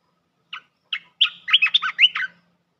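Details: Bulbul luring call used to attract wild birds for trapping. The territorial resident bird reportedly came down fast. Two short opening notes, then a quick run of bubbly, warbled phrases that dip and rise, clean background.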